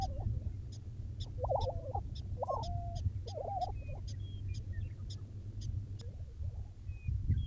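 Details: Lesser prairie chickens on Oklahoma grassland near Buffalo, early morning 2009: three bursts of rapid, warbling cackles in the middle range, then quieter single notes, with sparse high ticks and thin whistles from other birds over wind.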